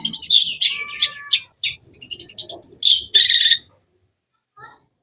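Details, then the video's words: Energetic jumble of high chirps and twittering phrases from a cendet, or long-tailed shrike, including a harsh buzzy burst near the end, followed by quiet with one faint note. "Bird chirping sounds"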